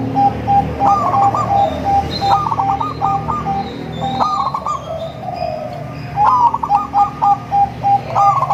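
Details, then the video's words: Melodious zebra dove song of local, crossbred and Bangkok birds, meant to draw other zebra doves: steady repeated clipped notes broken by bursts of rapid rolling trills, a few faint higher chirps above. "suara merdu untuk memancing perkutut anda"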